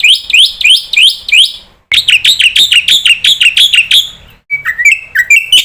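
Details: Jalak putih, or black-winged starling, giving lure calls said to make every kind of starling call back: bright, upslurred, buzzy chirps in quick series, a brief pause, then scattered sharp whistled notes.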